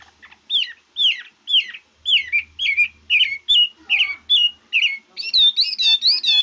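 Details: Red-whiskered bulbul switching its voice in song: clear, bouncing whistled notes repeated in quick succession, ending in a faster run of higher looping whistles.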